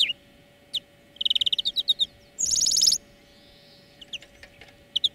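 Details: Greenfinch singing in a song-lesson recording made for training birds: a short note, then a fast run of about a dozen trilled notes, a harsh buzzy burst, and scattered soft chirps, with a constant low hum behind.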